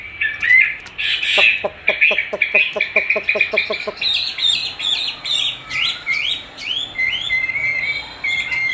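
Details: Chinese hwamei trained by hearing its own song replayed, which it loves to challenge: loud whistles open, then a fast even run of clipped notes for about three seconds, followed by rising and falling slurred whistled phrases.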